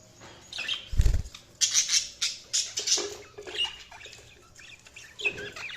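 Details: Budgie chirps and scratchy chatter in short bursts, with a low thump early on and a soft background hum.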